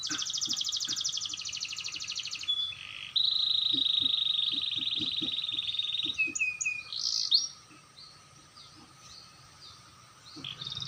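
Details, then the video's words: Canary practising its roll, clear-voiced: a long buzzy high rattle, then a sustained rapid rolling trill lasting several seconds. Short sweeping notes follow before a quieter pause and a fresh trill at the end. "burung kenari belajar ngerol suarany jernih"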